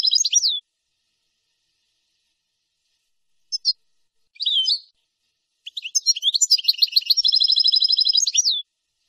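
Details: Goldfinch training-tape song for teaching young birds: a short twittered phrase, scattered chips, then a bright chattering run ending in a long rapid even trill with a falling flourish, clean background.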